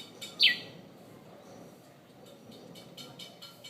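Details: Bird outside a bedroom window in Conakry at morning: a single quick descending chirp early on, followed by faint clicks and background noise.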